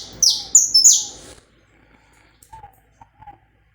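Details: Saffron finch recorded live without cuts, sung to warm up another bird: four loud, sharp notes sweeping steeply downward in quick succession, then a pause and a few soft, low chirps.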